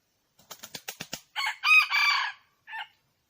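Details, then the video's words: Red junglefowl: rapid wing-flapping, about seven beats, leads straight into a loud, raspy, rising-then-held crow. A brief closing note follows after a pause. The background is quiet. "เสียงไก่ป่า,ไก่ป่า,Suab poj qaib qus see zoo heev"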